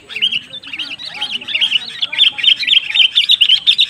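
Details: Sooty-headed bulbul singing in a pikat lure duel against a rival bird. Lively, bubbly warbled phrases with rapid repeated notes, about two each second, steady and loud for the whole stretch.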